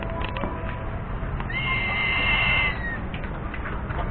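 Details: Crested serpent eagle making a call: one clear whistled note, held about a second and a half and gently falling in pitch at the end, over steady background hiss and low rumble.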